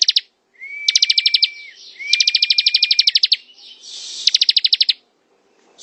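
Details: Singing bar-winged prinia, ngebren style: three long trains of rapid, bright, high notes, the first two sitting on a sustained, steady, thin whistle, with quiet gaps between.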